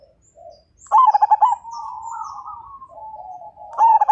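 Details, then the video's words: Zebra dove singing hard, its voice said to set other birds cooing: a loud burst of pulsed coos near the start and another at the end, with gentler wavering coos from other doves in between. "Perkutut MAJAPAHIT GACOR DAN FIGHTER Suara Bikin Burung Lain Ikut Manggung"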